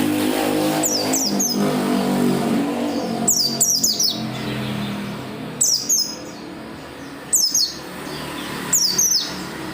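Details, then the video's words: Oriental white-eye singing tirelessly to coax other white-eyes into voice; short high chirp clusters recur every couple of seconds, partly buried under a steady low hum. "SUARA PELECI GACOR NGOTOT BIKIN PELECI LAIN RAJIN BUNYI BUKA PARUH"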